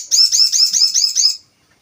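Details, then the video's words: Crested jay call used as a lure to provoke other birds: a fast rattling run of about six harsh, arched, high notes over roughly 1.3 seconds, then silence. "Pancingan burung sogon"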